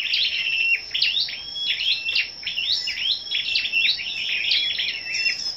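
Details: On the morning of 10 May, gathered scarlet-backed flowerpeckers sing competitively: a dense string of piercing high chips and short whistles, barely pausing, with a constant high-pitched hum in the background.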